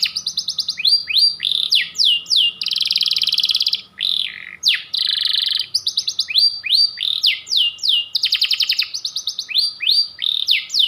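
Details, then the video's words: Canary of the white panda variety singing a long varied song: rapid ticking trills, sweeping up and down whistles and dense buzzy rolls alternating in quick phrases, clear and close. "Kicau Kenari panda ngotot nembak panjang"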